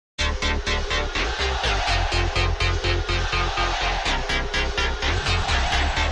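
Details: Loud electronic dance music with a fast, steady thumping beat throughout.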